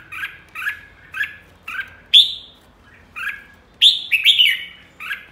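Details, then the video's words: A red-whiskered bulbul gives a row of short, bright chirps about twice a second, then louder rising whistled phrases. No other sounds stand out. "Chào mào đầu đàn ché"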